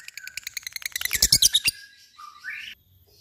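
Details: Lovebird in ngekek song: a rapid, accelerating run of harsh, high chattering notes that swells in volume, then breaks off into a couple of softer, rising squeaky notes.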